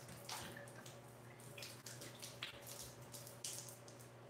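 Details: Water runs steadily from a tap into a sink or tub, with faint drips and clicks over a low indoor hum, and no animal calls.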